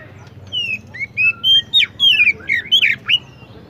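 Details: Oriental magpie-robin singing: a string of clear whistled phrases, some slurred downward and some sharply rising, given in quick bursts of about four per second with a faint low hum underneath.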